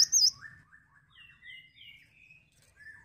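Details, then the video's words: A captive male cinereous tit in full song opens with a loud, high, warbled whistle, then follows with softer sliding whistled notes that fall and rise over three seconds. "GACOR TANPA PEMANIS BUATAN,GELATIK BATU JANTAN LOSSDOL"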